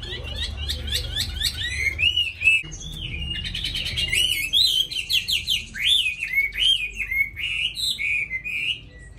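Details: Wild-voiced Hwamei kept in a cage, said to sing constantly: clear, loud, varied song of rapid high whistles, twisting up-and-down slurs and repeated phrases pouring out almost without pause; low hum in the background.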